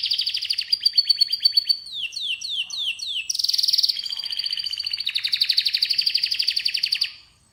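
A canary sings a long, bright, unbroken song: rapid rattling trills, a run of falling whistled sweeps, a harsh buzzy burst, then a fast rolling trill to the end.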